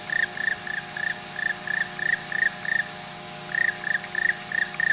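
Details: Male Black Woodpecker recorded in April 2019 in the mountains of León, Spain: a run of about nine short, slightly rising, ringing notes at a steady pace, a brief pause, then about six more, over a constant low hum.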